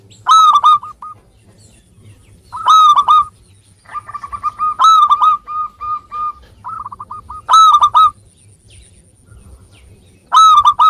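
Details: Local zebra dove song for drawing lazy birds into singing: five loud, rolling coo phrases at irregular gaps, joined by long strings of short, evenly spaced cooing notes, with a faint steady high tone behind.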